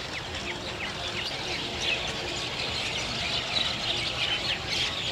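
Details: Chestnut-tailed starling giving short, high chirps and squeaky notes in quick irregular series, with several birds overlapping over a steady background hiss.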